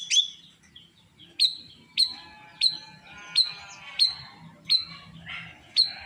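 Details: Srigunting krantil drongo, described as singing more eagerly day by day, repeats a sharp high downslurred whistled note roughly every half second to second, eight or nine times, with faint chatter between.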